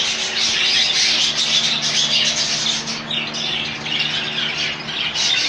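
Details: Rainbow budgies housed as a colony give loud nonstop chatter, harsh squawks and rapid chirps layered from many birds, slightly easing then building again.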